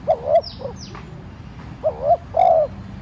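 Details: Decoy spotted dove cooing lightly to provoke wild doves: two low paired coos, a short note then a fuller drawn-out one, with a quick downslurred whistle from another bird in between.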